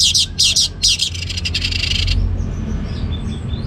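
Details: Orange-headed thrush in ngeplong gacor style: about two seconds of loud, harsh, buzzy repeated bursts, then softer faint high chirps from other birds over a steady low hum.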